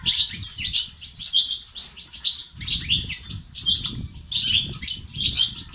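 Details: European goldfinch song of the betbeta and sestasat kind, played to motivate males and cure their silence: lively chattering twitters in irregular bursts of about a second, separated by short gaps, over a low rumble.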